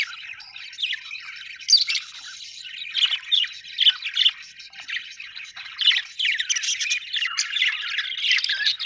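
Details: Budgerigar chatter, an unbroken stream of scratchy warbles and squeaky chirps that grows louder and denser toward the end.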